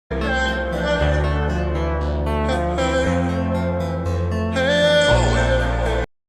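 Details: Loud music plays throughout, with plucked strings, a steady bass and sung melody lines, then it stops abruptly; no bird voices come through.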